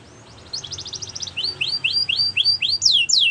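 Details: Canary training song: after a quiet start, a rapid rattling trill gives way to a steady series of rising whistled notes about four per second, ending in sweeping high slurs.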